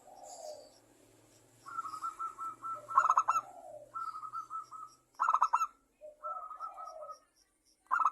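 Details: Local zebra dove song meant to trigger other doves: level purring trills broken by sharp rattling bursts, with a soft low hum underneath.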